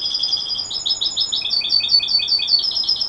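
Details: European goldfinch hybrid (mixto), a novice bird, singing; fast, high, twittering string of liquid chirps and trills in tight repeated notes, with a steady background hiss.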